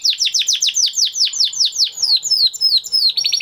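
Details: Crested Spanish Timbrado canary bred in 2020, a flock bird, delivering training song: a rapid series of sharp downslurred chirps repeated about twice per second, then quicker higher notes closing the phrase.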